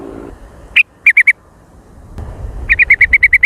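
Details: Sooty-headed bulbul lure call, an active and noisy jontrot: one lone chirp, then three quick notes, then a fast run of about nine bright, clipped chirps after a short gap.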